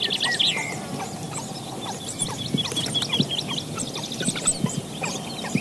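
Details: Advanced Eurasian hoopoe nestlings beg while being fed, a dense stream of short, high, hooked squeaks, several each second, with an early down-slurred whistle, possibly an adult alarm call, and soft low thumps beneath.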